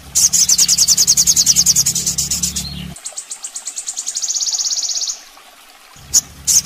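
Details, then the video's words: Crested jay giving a fast, very high rattling series of sharp notes, then a thinner buzzy run, a brief pause and a few final high notes, in a masteran (training recording) for sogon birds. "Masteran burung sogon"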